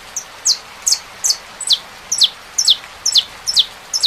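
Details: Saffron finch singing with rain: a steady run of sharp, high, downward-slurred chips, each with a brief higher note before it, about two per second, over a soft hiss.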